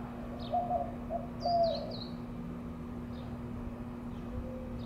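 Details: In Mesa, Arizona, April 2022, a white-winged dove performing its mating dance utters a few rough, mid-pitched coos, followed by a faint later note; high thin whistles of another bird and steady low hum behind.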